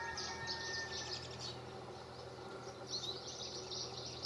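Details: Wild Atlantic canary in a Canary strawberry tree at Valleseco, Gran Canaria, in December 2022, singing a high, rapid twittering in bursts throughout, fairly faint over a steady low hum.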